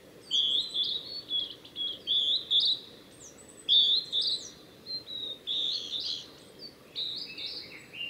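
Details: Singing male Blue-and-white flycatcher on the Tanzawa Mizusawa forest road, Japan, 8 June 2020: a run of clear whistled phrases, some sliding and warbled, delivered almost continuously with short pauses, over a soft constant hiss.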